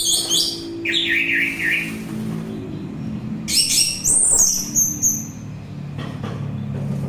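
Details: Song of the orange-headed thrush, used to calm listeners and to draw in birds: high chattering phrases and a lower wavering whistle, with a steady low hum throughout.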